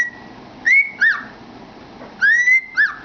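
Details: Cockatiel kept as a pet, singing into a cardboard tube: clear whistled phrases, each a long rising note followed by a short hooked note, heard twice with a pause between.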